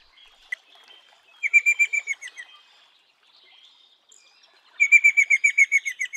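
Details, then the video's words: Eastern rosella in natural habitat giving two bursts of rapid, ringing, evenly repeated piping notes, eight to ten per burst, separated by a quiet pause of about two seconds, with faint chirps before. "Chamada de Rosella Oriental! Canção de Rosella Oriental! Rosella oriental soa! Apito Rosela Oriental"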